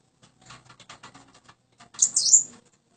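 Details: A tame Common Iora described as a keen singer: a run of soft ticking taps, then one short, high, sweeping whistled phrase near the end.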